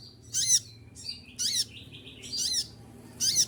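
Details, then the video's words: Four sharp, shrill bursts, roughly one a second, come from a moulting olive-backed sunbird, with a thin wavering whistle trailing between the first two. "konin lagi mabung bulu rontok semua tetap gacor"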